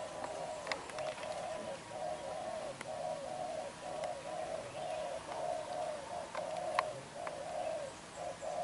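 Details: Young black-eyed wild-caught spotted dove cooing hard in 'đập gù' style: a steady run of short, low, hollow coos about once a second, with scattered clicks and tapping behind.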